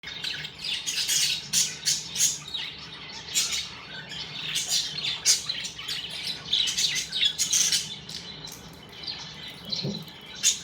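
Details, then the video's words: Happy pet budgies give constant bright, scratchy chirping and warbling chatter. Short squeaky notes come in dense bursts roughly every half second to second, with brief quieter gaps between flurries. "Happy Budgies chirping sound"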